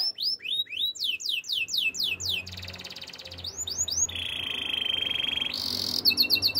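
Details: Waterslager canary singing its training song: quick looping downward whistles give way to a long even buzzing roll and a bright trill, then chopped high notes, over a faint low hum.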